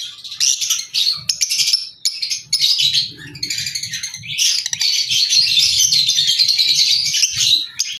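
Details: Albino red-eyed lovebirds chattering: dense, shrill high chirps and screeches, nearly continuous with short breaks, several birds calling over one another.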